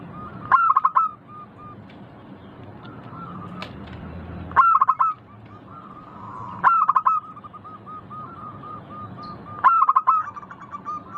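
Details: Clear zebra dove song from a local perkutut: four phrases, each a quick burst of staccato notes followed by a run of soft rhythmic coos, spaced a few seconds apart over faint low background noise.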